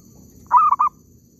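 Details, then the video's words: A single zebra dove phrase, recorded in an oil palm plantation while the bird was being caught: a clear cooing note running straight into two quick clipped coos, with a soft low rumble behind. "mikat perkutut kebun sawit,suara ampuuhh"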